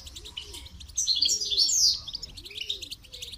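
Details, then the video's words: Goldfinch song for training: a fast, jangling run of twittered notes rises to a loud, tinkling flourish mid-clip, over soft repeated cooing in the background. "Motivational rewards for training goldfinch to song"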